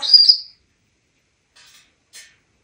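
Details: Pet African Grey parrot at home in Texas, perched on a trash can while chatting, gives one sharp high whistle, followed by two faint soft clicks.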